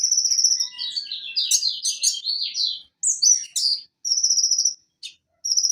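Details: Van Hasselt's sunbird (Leptocoma brasiliana, given as Leptocoma sperata) song: a rapid, high-pitched jumble of thin chirps and sliding twitters, short pauses and steady buzzy trills; used as a tutor song for songbirds, known to mimic other birds and crickets.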